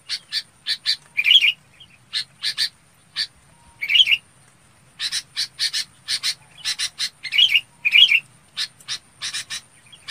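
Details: Long run of red-whiskered bulbul flock calling. Quick harsh double and triple notes are interspersed regularly with brief, brighter warbled phrases. The calling continues steadily through ten seconds with only short pauses.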